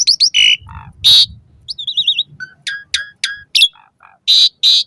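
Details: Varied song of an Asian pied starling, played to caged birds at dawn and dusk as training: harsh loud screeches alternate with wavering whistles, rising slurred notes and clipped squeaks.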